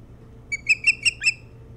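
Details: Nest-cam recording of an Osprey on Hog Island, Bremen, Maine, 07-03-2018, between about 04:36 and 05:06: five piercing whistled chirps in a fast burst, the last one slightly lower and slurred, with a low hum behind.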